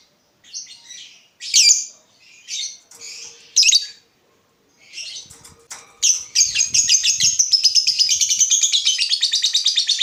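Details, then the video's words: Lovebird used as a lure so other lovebirds answer with 'ngekek'. Harsh, rasping squawks and chirps come in an uneven series, then break into a long, fast, pulsing high chatter for the last four seconds. "Pancingan Lovebird Gacor Burung Lakbet apapun pasti Nyaut Ngekek"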